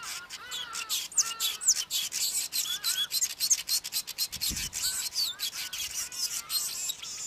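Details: Male Cape weaver in long, wound-up song: rapid scratchy chattering with rasping buzzes and short squeaky slurs, delivered in a continuous hurried stream with a few thin high whistles woven through.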